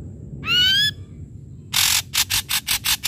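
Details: An Ashy drongo, recorded for use as a lure to make silent drongos call, gives a loud, slightly rising whistle with a nasal ring, then about six harsh, rasping bursts repeated roughly five times a second.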